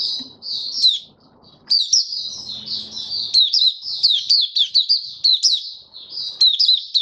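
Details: White-eye singing its opening song, dated 08-01-2022: a long, fast, high-pitched warbling stream of sweet twitters and sharp upslurred notes, briefly broken, with soft low background rumble.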